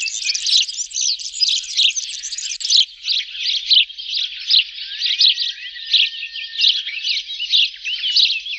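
Sparrows chatter in a dense, continuous stream of bright, high chirps that overlap with no pause. It sounds like several birds calling together, with no other sounds.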